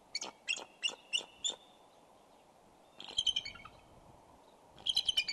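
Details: Bald eagles calling during mating on the Decorah eagle cam, 3 February 2012, about 11:05 am CST: quick series of high, sharp chittering notes, five in a row, then two more bursts of rapid piping after pauses.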